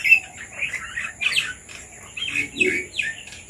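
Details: Bulbuls with red vents gathered to eat papaya in a village in Sri Lanka utter bursts of chattering, bubbly chirps in two clusters separated by a brief lull, over a constant high-pitched hiss.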